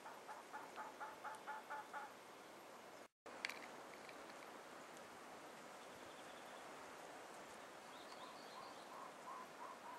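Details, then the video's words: Two well-plumaged male Elegant Trogons calling to each other in the Huachuca Mountains, southeastern Arizona, on April 12, 2009. A quiet series of hoarse, even notes runs about four per second for two seconds. After a brief cut, a softer series returns near the end with faint higher chirps. "Calling Elegant Trogons"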